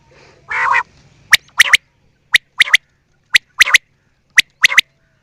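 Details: A harsh, raspy burst opens, then a quail gives four crisp three-note phrases, one short note then a fast double, spaced about a second apart.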